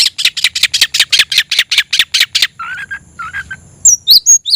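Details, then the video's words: Caged oriental magpie-robin singing loudly with its tail spread, meant to raise its fighting mood and call a rival: a fast run of harsh repeated chattering notes, then lower warbles and high whistled slurs. "kicau burung KACER‼️gacor buka ekor dongkrak emosi panggil lawan tarung"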